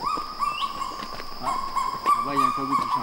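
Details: A male kagu (Rhynochetos jubatus) sings alone at first light of dawn in humid forest of New Caledonia: loud, dog-like yelping syllables near one pitch, about three per second, twelve syllables per phrase, with a voice speaking over it.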